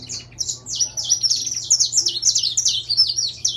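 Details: Intense-yellow saffron finch in song, giving a rapid, steady string of bright, high downslurred chips, nearly ten per second, loud and clear over a quiet low hum.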